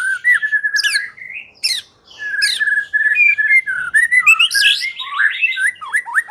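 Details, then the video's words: White-rumped shama singing, used as a lure to make other shamas sing: a rich, varied run of clear whistled phrases, some steady and some sliding, mixed with sharp high chips and brief pauses, no other sounds present. "Pikat Murai Batu Dengan PANCINGAN GACOR Ini Di Jamin Macet Langsung Bunyi"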